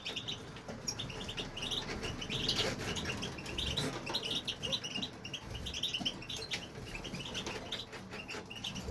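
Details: European goldfinch, a male in a home aviary, in unbroken song: sparkling, fast-paced twitters and chirps repeated in quick clusters, steady low hum and rustling underneath.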